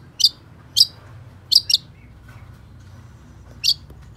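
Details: Long-tailed shrike giving sparse, sharp, high chirps, single or paired, spaced about half a second to two seconds apart over a quiet background with low hum.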